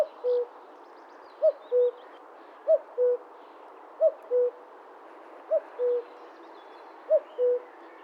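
A common cuckoo gives its soft two-note 'cu-koo', the second note lower, about six times at a steady pace over a faint hiss.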